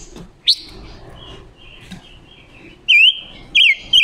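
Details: Female red-billed leiothrix (Leiothrix lutea) decoy bird singing to stimulate males, giving sharp, high chirps and short wavering whistled notes in bursts about half a second apart over a faint hum.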